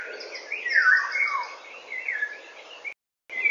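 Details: Eurasian golden oriole singing at 08:15 in the morning on 19 May 2013. Fluted whistled phrases slide downward, with a brighter run near one second and a short gap before a final whistle. Other small birds twitter faintly behind.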